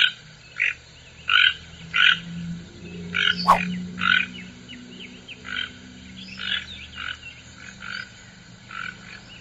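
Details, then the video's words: A toucan gives harsh, frog-like croaks, repeated roughly once a second and then more loosely; thin whistles from other birds and a low hum sit behind. "TUCANO - SOM"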